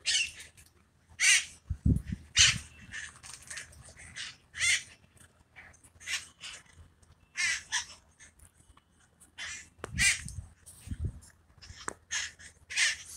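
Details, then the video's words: Wild parakeets in the hills of San Francisco, calling and fluttering during a mating ritual: loud, harsh, raspy screeches in short bursts, repeated irregularly about once a second, with faint low rumbling between calls. "ParKeet mating ritual"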